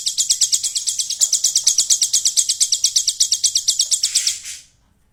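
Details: Golden grasshopper imitation in a caged hill prinia's song: quick high buzzy pulses at an even rate for about four and a half seconds, then fading out into silence.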